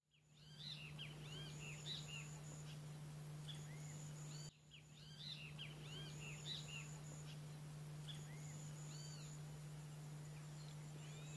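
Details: Wattled jacana in Brazil giving clusters of sharp, arched chattering notes that repeat in bursts, over a steady low hum and hiss.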